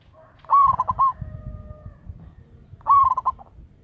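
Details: Zebra dove, a local bird used as a lure: a stuttered, pulsing coo phrase, then a faint long steady tone, and a second coo phrase two seconds later; low rumble underneath.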